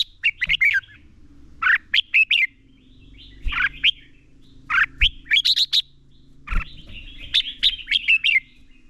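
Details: Red-whiskered bulbul decoy singing a fighting song meant for training birds; lively, chattering phrases of sharp, bubbling whistles come in bursts separated by short pauses, with occasional low knocks in between.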